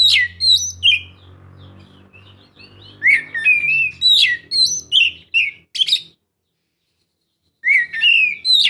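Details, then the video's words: Oriental magpie-robin song used as a lure to make a silent bird sing: rapid, varied whistles and chirps over a low droning background for the first half, followed by a pause and another whistled burst. "Kacer mana yang gak lasung bunyi dengar suara kacer ini"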